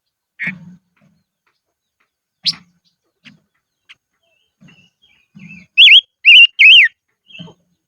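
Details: Silver-eared mesia used as a decoy bird, singing in the highlands: scattered short chips and soft notes, then three loud wavy whistled notes rising and falling in quick succession near the end.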